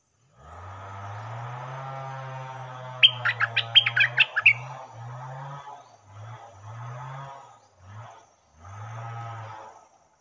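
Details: Stripe-throated bulbul kept as a caged decoy to face captured wild birds sings a short phrase of rapid, clipped, bright notes. A droning low hum is heard before and after, cutting in and out.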